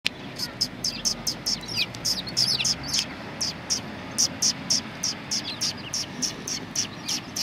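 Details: Eurasian tree sparrows on 29 November 2019, one bird coming to get insects; a rapid series of short, sharp, high chirps, about three or four per second, with some overlapping chirps from several birds in the middle.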